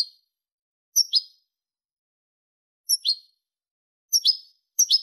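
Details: European goldfinch singing, a clean song recorded in 2023: short bright tinkling phrases high in pitch, each a quick twittered pair of notes, repeated four times with short silent gaps between.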